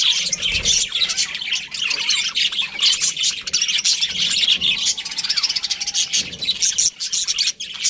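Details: Budgerigar group calling nonstop, busy high-pitched chatter mixing squawky notes and fast tweets, sound hardly dropping throughout.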